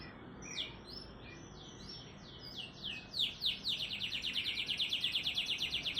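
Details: Fast, tightly packed AF canary song with unusual phrasing, played to make reluctant canaries sing; a few spaced falling whistles build into a loud rapid buzzy trill that continues to the end.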